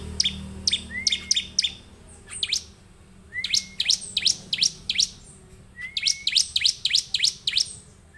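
Bar-winged prinia singing bright, high, sharp chirps in quick bursts of three to five. A rising whistled note opens some bursts. Faint low background hum.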